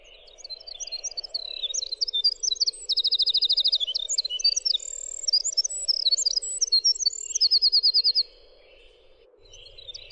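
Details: Extended winter wren song lasting about eight seconds: a nonstop torrent of high tinkling notes broken by two fast, rattling trills, then silence apart from a low steady hum.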